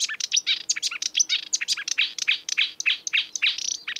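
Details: Dense, hurried song from a wild marsh warbler: a rush of scratchy, chirping and slurred notes packed tightly together with hardly a pause, over a faint low hum.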